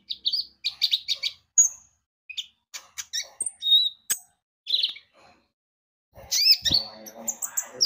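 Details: Javan white-eye in full song as a lure: sharp high chirps and short whistles in broken phrases, a pause, then a busy chattering burst with some rustling.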